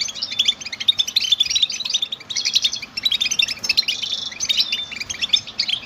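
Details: Energetic goldfinch chirps: quick high twittering phrases broken by buzzy, nasal trills, bursts repeating every second or so over a faint low hum.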